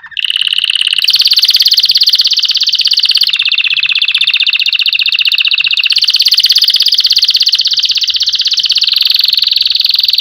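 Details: Loud, continuous canary roll used to train chicks: a dense, rapid, rattling trill held for about ten seconds with slight shifts in pitch. The song is very bright and high, with no pauses.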